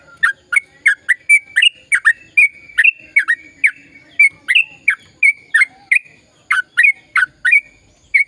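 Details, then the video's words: Sooty-headed bulbul in full, long rapid song, used to encourage mute birds to sing: a steady stream of crisp chirps, roughly three per second, with a few short gaps. "Suara Burung Trucukan Gacor Ropel Panjang Perangsang trucukan bisu biar aktif bunyi"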